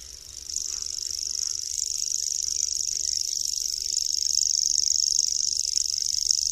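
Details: Continuous shrill reeling from a common grasshopper warbler (Locustella naevia), a small migratory bird, beginning just after the start and running evenly to the end like a fast ticking insect, gradually louder, with faint low rumble behind.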